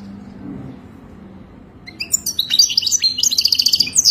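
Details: A goldfinch bursts into song after a quiet start, a rapid run of tinkling chirps and buzzy trilled notes; song for mating, meant to help a captive goldfinch learn.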